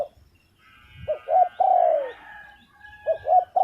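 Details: Spotted dove giving a mellow coo phrase: two short rounded notes and a drawn-out descending hoot, then the start of the next phrase. Faint higher tones sound in the background.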